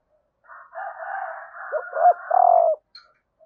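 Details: Female spotted dove call meant to stimulate males: low coos, ending in a sustained note, rise out of a continuous buzzy, rough background sound that runs underneath.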